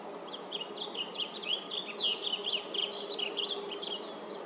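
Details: Song of a blue grosbeak, July 8th, 2024, at LaFarge Sandpits: a hurried, bubbling string of short slurred high notes, rising and falling quickly for about four seconds, with a constant hiss beneath.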